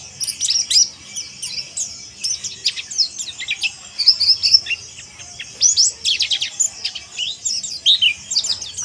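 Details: Mountain white-eye (pleci monty) giving harsh chirping, known locally as ngeriwik kasar: dense bursts of sharp, high twittering notes and quick downslurred chips, in clusters with brief gaps, over a faint low hum.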